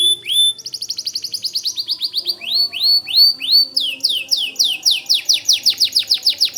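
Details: Energetic white canary song, suited as a tutor recording for White-rumped Shamas. An unbroken run of rising, sweeping notes comes about three per second throughout.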